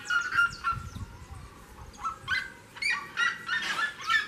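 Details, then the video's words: Seriema calling near the door of a house: scattered loud yelps with bright overtones come in small bursts separated by brief pauses, some notes sliding downward, over a quiet background. "seriema canta perto da porta de casa"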